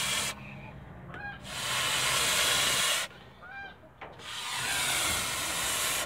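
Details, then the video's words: Father goose protecting its family in a backyard gives long loud breathy hisses lasting a second or more. Two short faint honks come in the brief pauses between the hisses. "FATHER GEESE IS WORKED TO PROTECT YOUR FAMILY IN THE BACKYARD"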